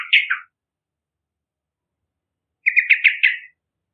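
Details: Yellow-vented bulbul song used for luring other birds: a short chirpy phrase near the start, then a quick run of five bright, bubbly notes after a long pause; clean, quiet background.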